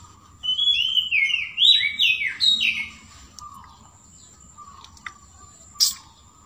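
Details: Long-tailed shrike imitating the sooty-headed bulbul with one clear phrase of descending, liquid whistles, followed by near quiet and a few faint distant ticks.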